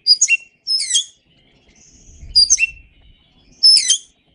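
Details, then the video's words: Oriental magpie-robin song used as a training recording for songbirds: four short, sharp chirping phrases of high sweeping notes, each about half a second, separated by pauses, with a faint low rumble in the middle gap. "Masteran Suara Kacer"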